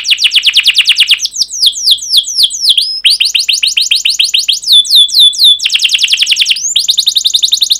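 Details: Canary delivering a long varied song with emotional 'cuit cuit' notes: cascades of rapid descending chips, bent whistles, and dense fast rolls, loud and continuous throughout.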